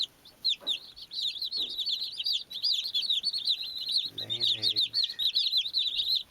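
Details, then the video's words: Baby chicks playing, giving a dense stream of high, rapid, peeping chirps that overlap almost without pause, with a brief low, buzzy clucking sound midway. "Beautiful Baby Chicks Chirping Sounds(cute playing)"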